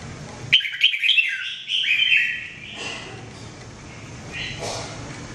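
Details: Red-whiskered bulbul (jambul) giving mebah-style training song: one rapid warbling, whistled phrase of about two seconds, then steady background noise with a faint distant note.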